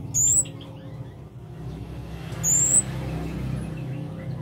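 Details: Scarlet-backed flowerpecker (cabe cabean, kemade) in active song: two short, high, thin rising notes a couple of seconds apart against a noisy low rumble.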